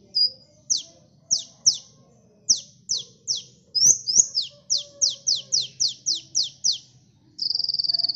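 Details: Kolibri sunbird in full gacor song for luring birds: clusters of thin, steeply falling chips, quickening midway, ending in a long, even, buzzy rattle at high pitch.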